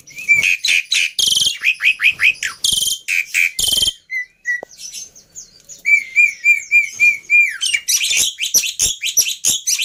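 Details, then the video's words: Black-winged myna tutoring song: harsh rapid chatter and bursts, a quiet stretch of thin whistles, then a steady row of short whistled notes before busy raspy chatter resumes. "Pancingan Plus Masteran Burung Jalak Putih full Isian Mudah Di Tiru"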